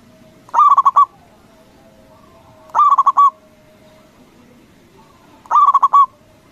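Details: Local zebra dove calling to provoke rival doves into answering: three loud bursts of rapid, bubbling coos, each a stuttered run of about five notes ending in a longer trill, repeated roughly every two and a half seconds over faint background hum.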